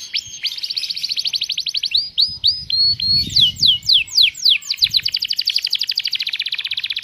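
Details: Canary tutor song in the luxurious cengkok style with sharp shots: a long, rapid, rhythmic trill of high notes, breaking into slower swooping slurred notes midway, then speeding back into a dense, even rattle.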